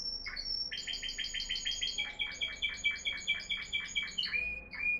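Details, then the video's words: A Moroccan Timbrado canary (2021 bird) sings florealdo, discontinuous timbrado song: rapid, rolling trills of quick, evenly repeated notes that shift pitch from phrase to phrase, over a faint low hum. "timbrado florealdo"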